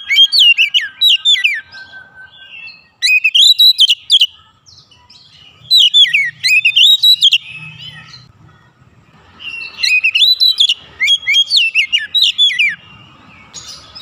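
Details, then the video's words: Oriental magpie-robin in an agitated mood, singing its learned filler phrases in three loud bursts of rapid whistles and sharp chirps, separated by pauses of a few seconds. "PANCINGAN cepat Kacer emosi bongkar isian"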